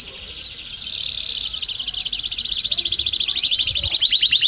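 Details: Belgian canary delivering a rapid high rolling trill, the beaded notes slowly sliding and staying even in loudness across the phrase.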